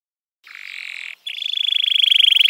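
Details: Canary of F1 type singing a soft buzzy trill, then a strong, fast rolling trill that grows steadily louder.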